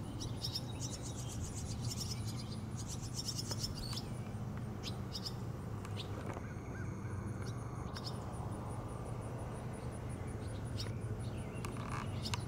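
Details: Barn swallow fledglings being fed by a parent at Rosman Community Park, North Carolina, give begging calls: rapid, high twittering bursts, loudest early on, over a steady low rumble and a thin continuous high whine.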